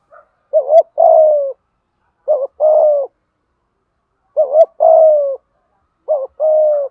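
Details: Spotted dove used as a decoy to train caged birds to sing, giving rhythmic cooing: short double note then a longer falling coo, in two phrases repeated about every two seconds.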